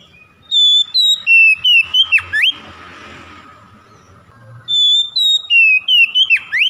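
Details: Lure song of an Oriental magpie-robin, meant to coax mute, lazy birds into singing: two loud runs of pure whistles, each stepping downward and finishing with a plunging then rising slur, separated by a burst of rustling noise.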